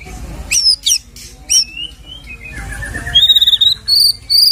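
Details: White-rumped shama filler song meant to rouse a shama's fighting spirit: scattered thin, very high whistles and slurred notes, then a steady series of piercing high whistled notes repeated in even pulses.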